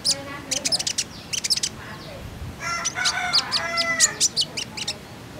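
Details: Common iora lure sound meant to make kept birds sing: bursts of dense high chattering chips, then a longer busy stretch of ringing chirps and trills, bright and energetic throughout.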